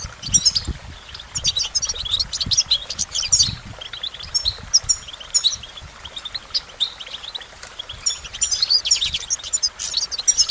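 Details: Goldfinch song of quick, bright twittering chirps and brief buzzy trills, running almost continuously over about ten seconds, with faint low background rumble.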